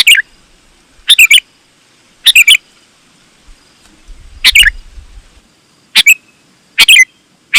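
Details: Sooty-headed bulbul in spirited song used to lure other bulbuls; seven short chirpy phrases at irregular intervals of about one second, each two or three quick notes, with a brief low thump in the middle.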